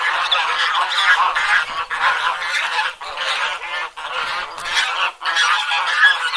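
Domestic geese honk loudly and harshly, several birds calling over one another in a near-continuous nasal clamour, about two honks a second.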